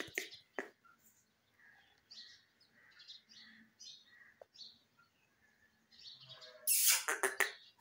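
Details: Indian ringneck parrot, a green bird, giving soft, scattered chirps and short whistled notes, then a sudden loud burst of harsh, shrill squawks near the end.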